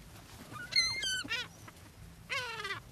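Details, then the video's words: Gulls on the beach at Brean Sands, England, being fed on an April spring day; sharp rising then falling squeals in quick succession, followed by a long drawn, slightly descending harsh cry. "Seagulls Sea and Sand"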